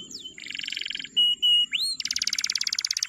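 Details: Male canary singing, used to train young canaries to sing: fast buzzy trills, pure whistled notes and rising sweeps, ending in a rapid high rattling trill, with faint low background hum.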